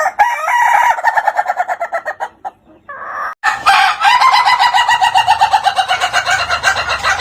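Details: Ayam Ketawa, the laughing chicken rooster, gives a crow that breaks into rapid stuttering syllables, about four per second. There is a short pause midway, then a long, even run of chuckling pulses.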